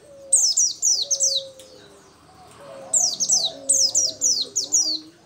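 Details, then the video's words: Lively local 'dakun' Oriental white-eye: two series of rapid, high, downward-sweeping chirps, several per second, split by a brief pause with faint low background sounds. "Pleci dakun lokal gacor"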